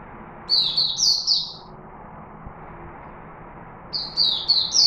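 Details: Chickadee recorded in Singapore, singing two bursts of four or five high, clear notes, alternately rising and falling, separated by a pause of over two seconds. A low background hum is present throughout.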